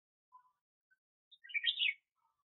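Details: Red-whiskered bulbul kept as a decoy bird for trapping, giving a short burst of bright, jumbled chirps and warbles after a few faint lower notes, in otherwise quiet surroundings.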